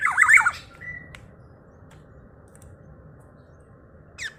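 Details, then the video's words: Vocal Black-naped oriole, its call said to stir up other orioles: a brief, loud, raspy wavering squawk at the start. A thin whistle-like tone follows, then steady low hum with faint clicks and a short scratchy burst at the end. "Kepodang emas gacor|SuaraNya bikin emosi burung kepodang lainNya.."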